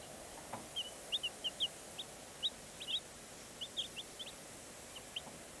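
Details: Black Cochin chicks giving short, high, thin peeps, each dropping slightly in pitch, scattered irregularly in small clusters over a soft steady hiss.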